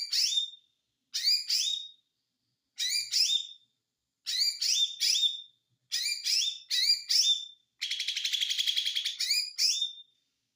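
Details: An ijo mini white-eye sings konslet style. Paired high chirped notes with a downslurred whistle tail repeat about every one to two seconds. A dense buzzy trill breaks in near the end before one last phrase.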